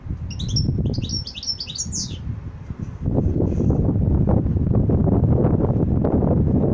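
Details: Goldfinch giving a quick high twittering burst of short, bright chirped notes for about two seconds, then falling silent while loud low rumbling background noise fills the rest.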